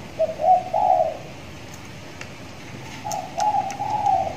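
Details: Young trained spotted dove, six months old, kept tied in a cage and now starting to call often; two bursts of low, mellow cooing notes, the first brief, the second longer and rolling, separated by a quiet pause.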